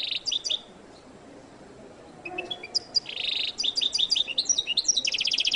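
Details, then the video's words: Goldfinch, called jilguero latino, opening with a few quick chirps, falling silent for about two seconds, then returning with a busy run of bright repeated notes and buzzy trills to the end. "canto de jilguero latino"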